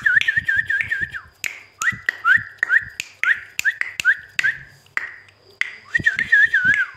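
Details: Ringneck parrot mimicking in a room: repeated short whistled phrases, wavering and rising, broken by sharp snapping clicks, with low rustling beneath.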